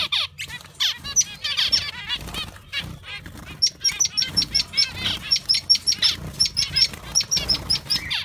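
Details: Zebra finches (Taeniopygia guttata) bred in an aviary, several chattering at once: busy, overlapping bursts of nasal, trumpet-like chirps and thin, high whistled notes, about two or three notes a second.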